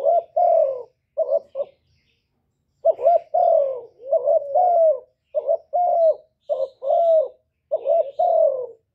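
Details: Loud cooing from a Spotted dove, played to lure and excite caged doves; phrases of paired coos with falling slurs, broken by a pause of about a second, with soft chirps of other birds.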